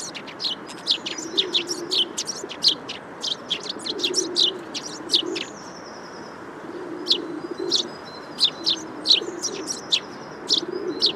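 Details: Eurasian tree sparrow calls: dense runs of quick high chirps, often several per second, with brief thin whistles mixed in and a low dove-like cooing underneath.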